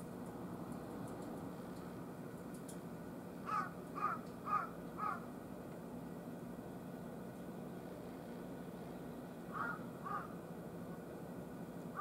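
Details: Wild carrion crow calling on an August 14 morning near 10:00, with three crows at a utility pole in the heat. A burst of four harsh caws, a pause, two more, then a final caw, all over a constant low hum.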